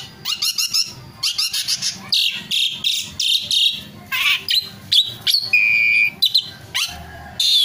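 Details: A pet Asian pied starling sings indoors: a rapid, varied jumble of squeaky whistles, chatters and harsh notes in bursts, with a sustained pure whistle near the middle.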